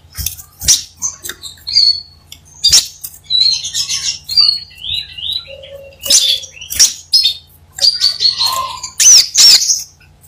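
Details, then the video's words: Crimson sunbird, known locally as sepah raja, singing vigorously: very high, thin twittering phrases, squeaky slurred notes and short trills, broken by sharp clicks and taps over a faint low hum. "Suara asli kolibri sepah raja gacor"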